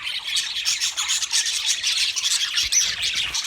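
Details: Wild budgerigars chattering together, a steady stream of high, twittering, scratchy chirps from many birds, dense and unbroken, with a soft knock near the end.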